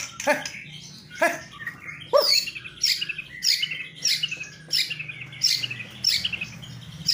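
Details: White-rumped shama singing its rich fill-in song, delivered with its characteristic bowing style: a varied series of sharp, bright whistled notes and chirps, about one phrase per second, some with sweeping upward flicks.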